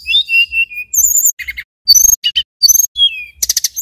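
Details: Male mountain tailorbird from Banyuwangi singing persistently: clear high whistled notes, some sliding down, mixed with short buzzy rattling bursts and quick chips, in a clean recording without background noise.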